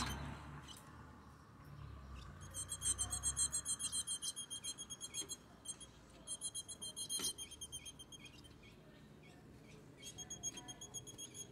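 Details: Female ultramarine grosbeak calling, used to stimulate a male: bursts of rapid, high, thin chirps repeated in quick runs, pausing between bursts, over faint low background rumble.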